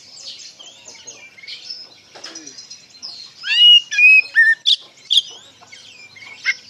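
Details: Oriental magpie-robin lure song in the ngeplong style, aimed at untrained birds: quiet mixed twitters, then a run of loud pure whistles and harsh chips, ending in softer warbling.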